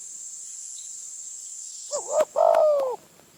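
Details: Spotted dove in Phrae, Thailand, near a decoy: after a stretch of insect drone, one loud coo phrase, a short rolling note followed by a long, gently falling hollow coo.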